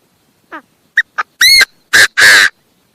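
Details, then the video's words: Chinese francolin giving one loud harsh calling phrase: a soft descending note, two sharp clicks, then three strong buzzy, rasping notes rising in force over about two seconds, with silence before and after. "Suab noog qaib qas qas qua"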